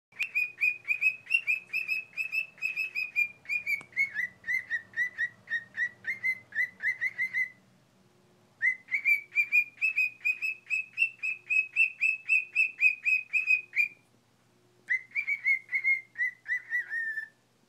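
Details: A 20-year-old pet cockatiel practises whistling "If You're Happy and You Know It" in rapid, bright notes, pausing briefly between phrases.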